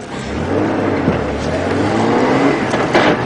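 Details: Loud idling and revving vehicle engine with faint voices, and no animal sounds.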